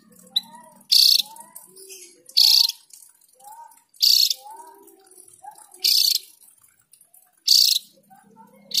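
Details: A Javan grey-throated white-eye singing long rolling song gives loud, harsh, high-pitched bursts about every one and a half seconds, with soft, lower whistled notes filling the gaps.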